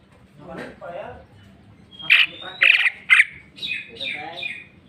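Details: Greater green leafbird singing its varied mimicry repertoire: soft warbles leading to a burst of three piercing, ringing notes about half a second apart, then twittering phrases, with a low hum behind.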